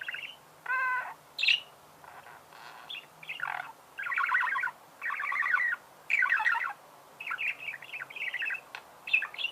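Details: Budgerigars warbling in repeated raspy bursts of chatter about a second long, with squeaky chirps in between and a low background hum.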